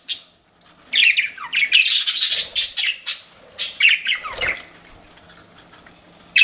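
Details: Pet budgies chirping: after a near-silent start, a loud run of squawky chirps and downward-slurred warbles for about four seconds, then quieter background chatter and one last sharp chirp.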